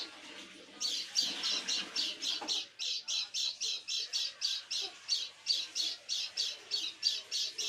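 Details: Strange evening call of a caged white-eye before dark: after a quiet start, some twenty-one rapid, harsh rasping notes follow in a regular, insistent series.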